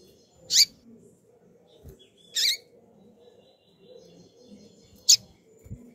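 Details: Calling female double-collared seedeater gives three short, piercing high chips spaced irregularly, with faint soft thumps underneath.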